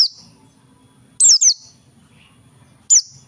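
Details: Oriental white-eye of the dakun type, singing actively, gives sharp, very high chirps that drop steeply in pitch, in a double note and then a single note, separated by quiet pauses.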